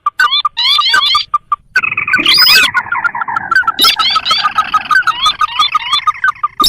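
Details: Sintar, a paddy-field and swamp bird, in a lure recording for trapping wild birds: overlapping rising slurred notes repeated rapidly, with a long buzzy trill in the middle and sharp clicks.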